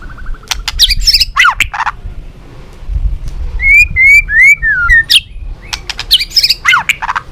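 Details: White-rumped shama, Balak 6 variety, used to lure birds into traps: bursts of sharp chips and fluttering notes, then four clear rising whistles and a falling one, followed by more rapid chattering.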